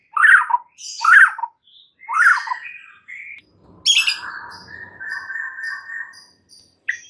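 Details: White-rumped shama lure song, used to get stressed shamas singing: loud, harsh chattering phrases, then a long, clear, level whistled note with short high chips after it, separated by brief pauses.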